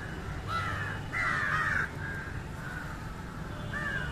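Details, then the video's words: Indian jungle crow calling during fish feeding: a run of rough, harsh caws, the second long and loud, followed by shorter softer ones, over steady low background noise. "Indian Jungle crow (Corvus culminatus) Call"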